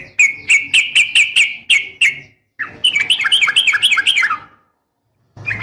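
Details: Female sooty-headed bulbul calling to a male, a sharp, fast repeated call meant to provoke a reply. A row of clear, evenly spaced chirps gives way to a denser, warbling chatter, then silence and a last note.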